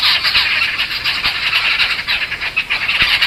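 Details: Jungle Babblers of a resident flock in Satpura calling in distress at a human presence. Several birds overlap in a dense, rasping, pulsing chatter of squeaky squawks, steady throughout.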